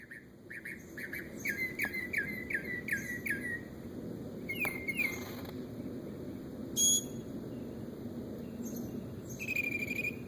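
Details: A bird said to imitate many noises gives a run of about six repeated whistled notes with rich overtones, then buzzy bursts and a short high pure tone, and ends with a sustained whistle.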